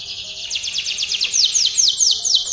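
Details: Training song of a canary, a dense high trill giving way to slower downward-sweeping notes repeated several times a second.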